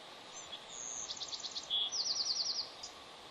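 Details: Bald eagle pair at their Pelican Harbor nest on Santa Cruz Island, a restoration site. The male arrives while the female incubates an egg laid two days earlier, and both call before she leaves. High, rapid chattering notes, a longer held note, then another quick descending run.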